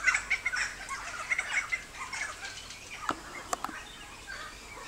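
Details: Helmeted friarbird (Philemon buceroides), song.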